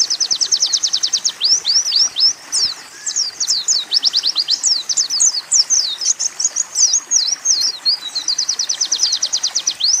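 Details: An Oriental white-eye sings a nonstop, very high song with canary- and hummingbird-like phrases. Fast, even trills alternate with tumbling, canary-like rolls and sharp upslurred chips. No other sounds are heard.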